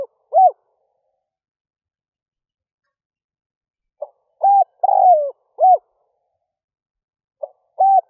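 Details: Decoy spotted dove calling in early morning to attract wild doves. Repeated cooing phrases separated by long silent gaps of about three seconds, each a faint lead-in note, a level coo, a rolling falling coo and a short arched note.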